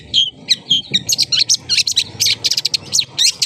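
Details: Tail spread, a long-tailed shrike opens with a few whistled notes, then breaks into loud, busy scratchy chatter and harsh high chips that run to the end.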